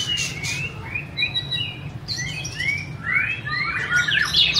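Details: White-rumped shama singing clear slurred whistles, rising and falling, spaced at first then tumbling faster into bright twittering phrases; low hum beneath.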